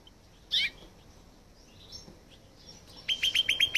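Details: Mutated rosefinch, a colour mutation, singing: one loud chirp, a pause with faint notes, then a fast run of about six clipped, evenly repeated notes near the end.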